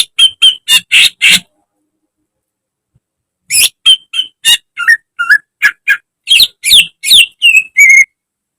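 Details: Greater green leafbird, caged, in a training recording meant to make birds sing often: loud bursts of harsh, buzzy broadband notes, then after a three-second pause a fast run of whistled and chattering syllables, some sliding downward.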